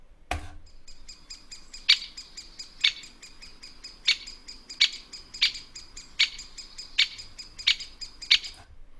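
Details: A great spotted woodpecker in Tower Hamlets Cemetery Park, an urban wildlife sanctuary, calls in a steady series of sharp, high, clipped 'kik' notes, about one per second, over a faint background hiss.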